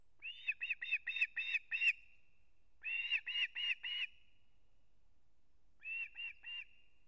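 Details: Osprey at a nest in Kurzeme, Latvia, 3 September 2024, adult delivering a whole fish to its chick; three bursts of sharp, high, piping chirps, about six, four and three notes each, fast and evenly spaced, separated by quiet pauses.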